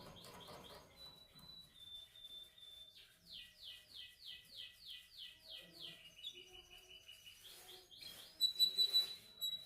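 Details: Canary in song training, delivering a series of rapid repeated sliding notes about three per second, a short steady tone, then lower rolled phrases and a high piercing trill at the end.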